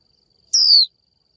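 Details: Single call of a female Japanese white-eye summoning a male: one short, piercing whistled 'chiu' that starts high and glides smoothly downward, lasting about a third of a second.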